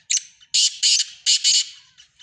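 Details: Black francolin, a Sindhi teetar among mixed francolin calls: loud, harsh, scraping notes given in pairs, four strong rasping bursts in quick rhythm with softer grating tails, in a quiet setting.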